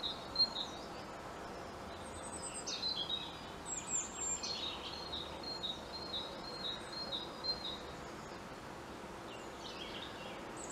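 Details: European robin on a treetop giving its variable song: scattered high, silvery trills and thin whistles with descending slurs, phrases separated by short gaps, over steady distant background noise.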